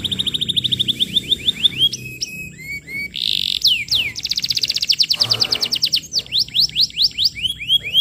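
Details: Lure song of a canary for training young birds, a fast varied performance of upslurred whistles, dense rolling trills and sharp descending sweeps, phrases changing every second or so.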